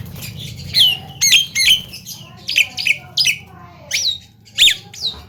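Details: Young Javan myna in full isian song: a rapid run of sharp, high chirps and short squeaky notes, each burst distinct and separated by brief gaps, with quiet low background hum.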